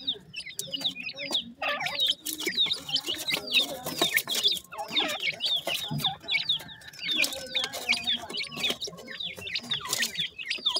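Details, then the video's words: Partridge babies being fed keep up a steady stream of shrill, sharply dropping peeps, many birds calling at once, mixed with brief clicks and faint lower chatter. "yellow partridge bird chicks,partridge baby feeding"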